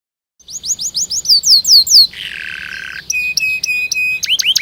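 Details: Canary song for teaching young canaries to sing: a run of swooping downward whistles, a short lower buzzy rattle, then clipped high notes and sharp upward flicks.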